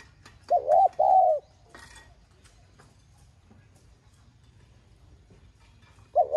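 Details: Spotted dove giving a 'gọi thúc' urging call in the 'giọng son' voice style, played to rouse captive doves into cooing: a two-part coo, a short wavering note then a longer steady one, with a third coo starting at the end; faint clicks.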